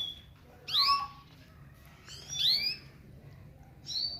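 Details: Canary crossed with gulsir from Parachinar, recorded in 2022: three separate bright upward-sweeping chirps with harmonics, spaced over a second apart, against quiet background hiss.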